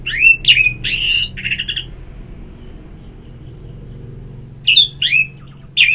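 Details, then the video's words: Orange-headed thrush song with loud slurred whistles and a short buzzy rattle, then a long pause before another run of quick whistled and chirped phrases. Intended as therapy sound to encourage singing. "Terapi Ngeplong Untuk ANIS MERAH Malam ya Tidur Merangsang untuk Bunyi"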